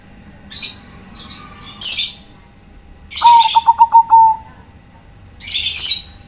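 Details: Bangkok-type zebra dove calling companions, its rapid series of about six low, staccato coos ending in a drawn-out note, set among several loud, hissy, high-pitched bursts before and after.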